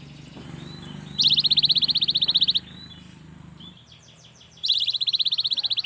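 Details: Young cinereous tit song aimed at making reluctant birds sing; two loud, fast pulsing trills each over a second long, separated by quieter notes and a short falling series.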